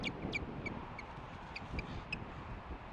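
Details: Osprey at its nest beside Hellgate Canyon, Missoula, Montana, on 25 August 2015. Short, high chirping notes repeat roughly three times per second over strong, steady wind rumble.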